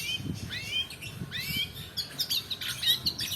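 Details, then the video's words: Long-tailed shrike song kept as a training lure for other birds, mixing upward-sweeping whistles with scratchy high chatter and short clicks, some faint low rumble beneath. "PANCINGAN PENTET MALAS BUNYI ROLL DURASI COCOK UNTUK MASTERAN"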